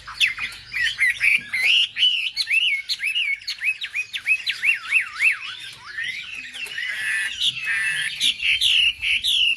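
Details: Wambi bird singing to provoke others of its kind: a string of sweeping whistles, each rising then falling, given about twice a second, ending in a tangle of higher warbled notes.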